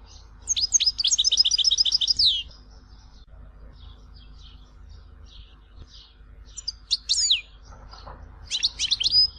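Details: European goldfinch performing the Tizi Ouzou song style from Algeria: a fast burst of high repeated twittering notes, then faint scattered notes, then two short bright bursts of sliding whistles over a low background hiss.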